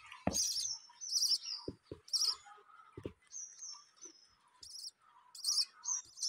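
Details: Budgerigars at home with newly hatched chicks: sharp, buzzy high chirps in quick bursts about once a second, with steady thin whistles between them and several dull knocks.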